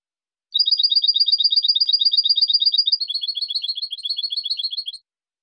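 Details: European goldfinch in silvestrismo song: a long, fast, ringing trill of twinned high notes lasting about four and a half seconds, shifting midway to a slightly softer, lower-pitched run before stopping.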